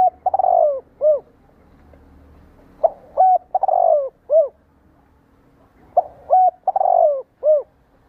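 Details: Spotted dove coo used to stir caged doves into answering; three phrases about three seconds apart, each a quick upslurred note, a longer wavering coo and a falling closing note, over faint low rumble.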